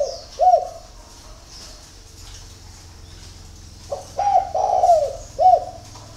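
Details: Spotted dove cooing in the early morning at Ba Vì, Hanoi, Vietnam: a short two-note coo, a pause of about three seconds, then a longer phrase of hooked, rolling coos ending in a drawn-out falling note. Faint high chirps behind.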